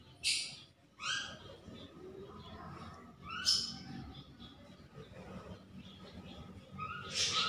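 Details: A five-day-old Black-winged Kite chick being hand-fed gives shrill, piercing begging squeals in four separate bursts, with faint rustling between calls.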